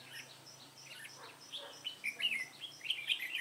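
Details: Red-whiskered bulbul during trapping, giving clipped, sweet chirping notes that grow louder and denser in the second half, over faint background hiss.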